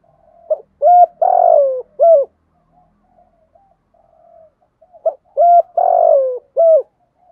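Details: Spotted dove cooing, a recording used as a lure for wild doves: two phrases of short and drawn-out hollow coos, each phrase a quick stutter then longer notes, separated by about three seconds of quiet.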